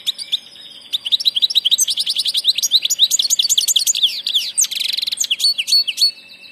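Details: A passage goldfinch in full song: a rapid, continuous liquid twitter of high chirps, trills and slurred notes, about three per second, ending with a buzzy rattle.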